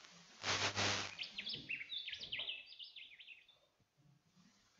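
Rufous Whistler giving a quick run of clear, high whistled notes that swoop up and down, after a brief burst of a person's voice.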